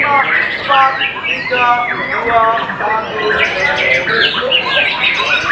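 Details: White-rumped shama, called murai batu sangkakala, singing dense, varied phrases of clear whistled notes and rapid chattering trills, one run straight into the next, with voices faintly behind.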